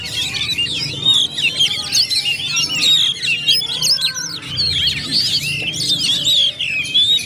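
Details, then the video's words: Oriental magpie-robins singing at a songbird contest area, several birds dueling at once: dense overlapping whistles, trills and sharp chirps, rapid and continuous, with a faint low hum beneath. "DUEL KACER ONE BY ONE‼️SUASANA KACER AREA LOMBA IKUT GACOR SEMUA"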